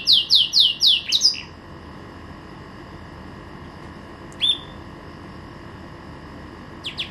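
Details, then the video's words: Pet green canary kept to enliven the sounds at home in Jaesan, singing a quick burst of six bright downslurred whistled notes in about a second, followed by two isolated short chirps over a faint steady background hum. "Kicau Merdu si KENARI Ijo"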